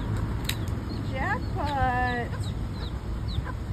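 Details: Baby chicks with their hens: a few high, trilling and descending peeps, one a long quavering trill, over a low rumbling background and faint clicks.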